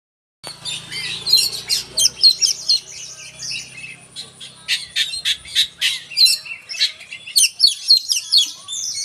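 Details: Oriental magpie-robin singing energetically: dense bursts of sharp, high chirps and squeaky notes, thrown out several times a second. There is a short lull partway through, then a rapid, insistent stream of notes resumes.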